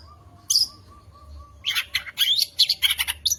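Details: Contest-champion long-tailed shrike sings a song stuffed with imitations of other birds, used as a provocation for sulking shrikes. A sharp high burst, a pause with faint low notes, then quick squeaky whistles and harsh chirps.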